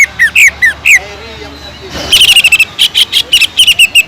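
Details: Greater green leafbird song with kingfisher imitation. A few bright slurred whistles come first, then a brief pause, then a dense, fast chattering trill and sharp repeated notes.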